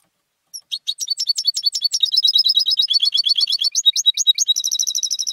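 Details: Home-raised European goldfinch used in singing contests, performing a long unbroken stream of high, rapid, bell-like twittering notes, shifting to steadier repeated tinkling figures near the end.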